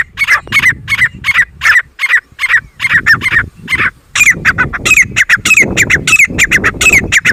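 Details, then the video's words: Loud, continuous calling of a jungle grey francolin (titar): sharp, ringing, squawky notes repeated in quick uneven runs, with brief pauses, against low background noise. "Grey Francolin voice"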